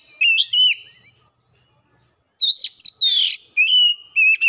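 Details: Magpie-robin (kacer) in lively repertoire song for luring other birds into song; a pair of wavering whistles, a near-silent pause, then loud sweeping whistles, a harsh grating burst and sustained clear notes.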